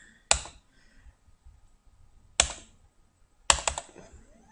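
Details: Three sharp, clattering, keyboard-like clicks come at uneven intervals in a quiet room, with no animal sound.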